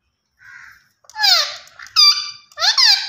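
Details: Green Indian ringneck parakeet, a talking pet bird, giving loud harsh squawks that slide downward, alternating with flat nasal tones, in a quiet indoor room.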